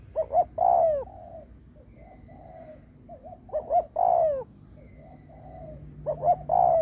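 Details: Spotted dove, a kept decoy bird cooing to lure wild doves: three phrases, each two short rising notes followed by a long mellow descending coo, with soft quiet coos between phrases and a faint low hum underneath.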